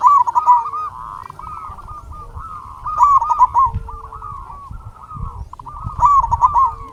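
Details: Lure zebra dove, a local bird singing to provoke other doves into answering: loud bubbling cooed phrases come about every three seconds, with quieter overlapping cooing from other doves between them.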